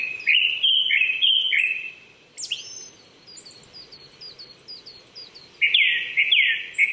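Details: Springtime song of a Japanese thrush at 800 m in Saitama Prefectural Forest, Chichibu, Japan, recorded in the morning in April 2019. Strong warbled whistles open and close the passage, with faint high bird chatter between.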